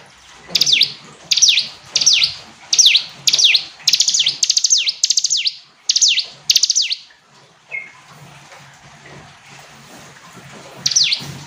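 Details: Hill prinia delivering a long series of high, clear phrases, each a tight ticking burst ending in a downward slur, about one every half second, then near silence and one last phrase.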